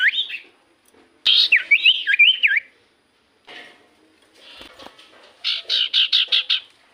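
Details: Common iora song used to lure other birds into singing back: loud zigzagging whistled phrases, then a pause and a run of about six evenly spaced harsh chattering notes.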